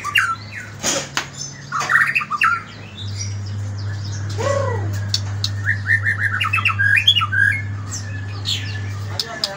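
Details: White-rumped shama in morning song: scattered whistles and a low descending note, then a quick run of repeated rising chirps, with a constant low hum and sharp clicks throughout.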